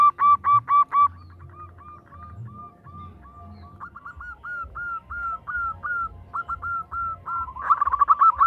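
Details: Female zebra dove calling a male: loud burst of five short tonal notes, then a long run of soft, evenly spaced, slightly rising notes that grow louder and end in a fast, rough, buzzy cluster, with a low background hum.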